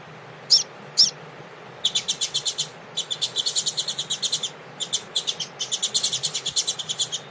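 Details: Double-collared seedeater, tui tui song style, warming up with a female ahead of a contest: two sharp notes, then long trilled bursts of rapid buzzy notes separated by short breaks, over steady low hiss.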